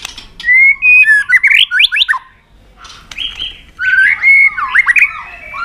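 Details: Fighting song of a provoked white-rumped shama: two bursts of rich, rapidly changing whistles and slurs, separated by a short pause, delivered loudly and intensely.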